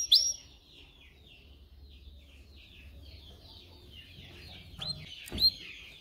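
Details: Canary song recorded for training young canaries to sing: a quiet, fast, continuous warble of varied high notes, with a few sharp upswept whistles near the start and end, over a faint low hum.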